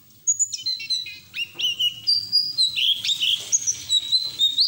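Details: White-eye singing in the ngeriwik style with open beak, in ngalas fashion, used as lure and therapy audio for untrained white-eyes; high, rapid whistled notes, flat tones and slurred chirps tumbling between high and very high pitches.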